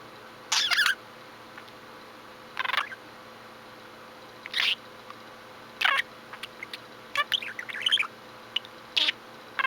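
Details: Pet budgerigar recorded for a weekly Friday show on 16 January 2015, giving short bright chirps and squawky bursts at roughly one- to two-second intervals, with quiet pauses between them.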